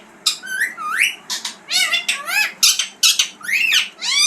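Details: Green parrot, kept as a talking bird, producing dense harsh squawks and rising, buzzy whistled notes in quick succession, nearly continuous for four seconds, over a low room hum.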